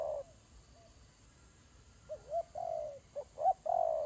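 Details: Doves during a fight: one coo, a long quiet stretch, then a quick cluster of short, hollow coos ending in a longer, drawn-out note.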